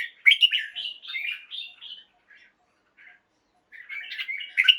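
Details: Caged red-whiskered bulbul singing at dawn: a long, run-on chatter of bright warbling whistles that fades into a pause with faint chirps, then resumes as a rich, tumbling phrase.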